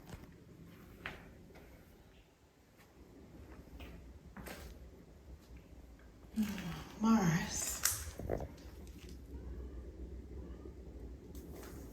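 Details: Low room noise with scattered taps and a brief burst of voice near the middle; no clear animal calls.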